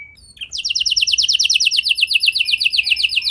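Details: Canary singing to draw other canaries into song: a brief high note, then a long fast rolling trill of crisp repeated high notes, steady and bright throughout.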